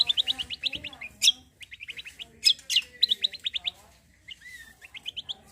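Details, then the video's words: Cucak kombo delivering a full, busy song meant to provoke other birds to sing: fast high chirp trills interrupted by piercing whistled strokes and a short gliding note, with brief pauses. "KECIAL KOMBO CUCAK KOMBO GACOR FULL TEMBAKAN BESETAN || UNTUK PANCINGAN BUNYI BURUNG BAHAN"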